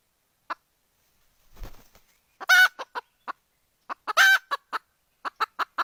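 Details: Hen calling for a rooster: a few soft, evenly spaced clucks build into two loud, harsh, drawn-out squawks, then a quicker run of short clucks. A brief scuffling noise comes early.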